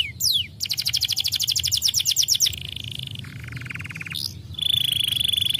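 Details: Canary song used to coax reluctant birds into singing: a short slur, a fast pulsed trill, then steady buzzy flat tones held at changing pitches, the last one high and bright.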